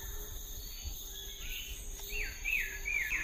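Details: Sooty-headed bulbul in the wild, giving a quick series of bright, wavering whistled notes near the end over steady insect hum and faint background noise.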